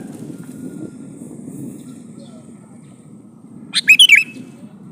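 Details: Over a constant low background rumble, a male sooty-headed bulbul calling a female gives one quick phrase of four liquid, bouncing notes.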